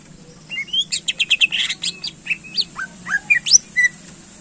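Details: Greater green leafbird song used to excite contest birds: a quick series of chirpy notes and rising and falling whistles at a steady pace, over light background hiss.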